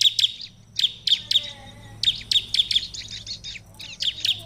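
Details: Energetic ciblek song meant to draw replies from other ciblek: clusters of piercing high chirps repeated in quick bursts, separated by brief gaps, with a faint low hum underneath.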